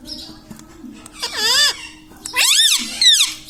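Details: Indian ringneck parakeet kept as a pet, mimicking words such as mummy, papa and radhe radhe; two bright, rich arching syllables, the second louder and swooping up then down, over a steady low indoor hum.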